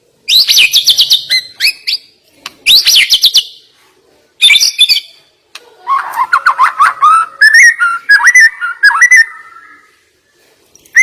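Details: Murai batu, the white-rumped shama, in sharp 'nembak' song: bursts of very high rapid trills separated by short pauses, then a longer sequence of lower warbled, rapidly repeated whistles.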